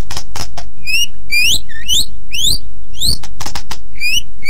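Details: Very vocal white-rumped shama singing as a learning model for other birds: clear upslurred whistles mixed with sharp dry clicks, each whistle rising and given roughly every half second.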